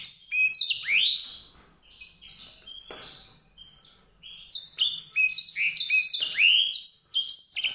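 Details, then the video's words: White-rumped seedeater with a vigorous, high-pitched warbled song, rushing sweet notes and rising slurs, interrupted by a quieter pause, then a renewed burst of rapid twittering. "song canário-de-sobrebranco, Weißbürzelgirlitz, Edelzanger, kanárik sivý, zvonohlík šedý, greysinger"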